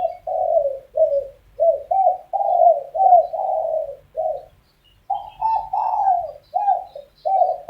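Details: Morning quarrel among spotted doves: short throaty coos in quick succession, with a brief gap near the middle before a slightly higher, rolling series resumes. There is little other sound.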